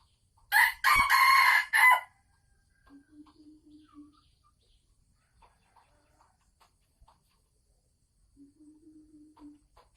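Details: Caged Sumatran red junglefowl, recorded 24 December 2020, when a hen is about to lay. Her cackling marks that she is ready. A loud, harsh, rasping burst lasts about one and a half seconds, then faint soft low notes and quiet clicks follow.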